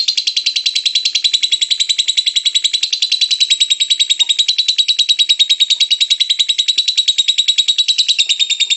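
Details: Lovebird giving an unbroken, clean stream of rapid, harsh, shrill chatter notes, around three per second. The strongly rhythmic song is steady throughout, with almost no background noise.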